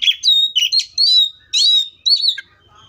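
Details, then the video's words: Loud, rich song from a wild Oriental magpie-robin: sustained high whistles mixed with buzzy, warbled notes in four quick phrases. "THIS COPSYCHUS SAUCARIS BIRD MOST LUXURIOUS SOUNDS LIKE IN THE WILD!"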